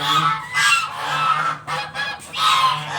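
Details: Geese kept at a home call out for breakfast, a few loud, strident honks in quick succession over a faint steady hum.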